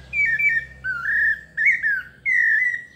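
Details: A pale-breasted thrush of the São Paulo type sings melodiously, giving a few long whistles, one falling, one rising and fluttering, another sliding gently downward.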